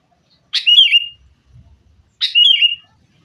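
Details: Sooty-headed bulbul lure recording meant to set caged birds singing, fighting: two identical brief phrases, a burst then a warbling slurred whistle, spaced about one and a half seconds apart.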